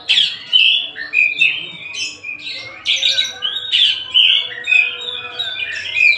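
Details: Tasik-type Oriental magpie-robin in full song. Clear whistles alternate with scratchy bursts in phrases about a second apart, with some notes rising and others dropping sharply, all delivered loudly and continuously.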